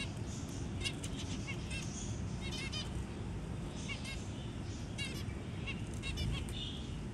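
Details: Zebra finch parent feeding a newly hatched tiny chick; scattered short, nasal chirps in small clusters, some in quick doubled or tripled bursts, over a constant loud low rumbling hum.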